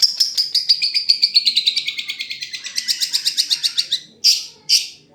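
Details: Long-tailed shrike song with varied filling: a fast run of high repeated chips, roughly eight per second for four seconds, turning buzzier and lower midway, ending with two sharp separate notes.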